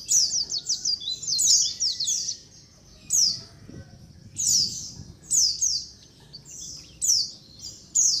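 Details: Lure recording of a white-eye (pleci) colony: groups of quick, high, falling chirps, several in a row, then brief pauses, repeating throughout.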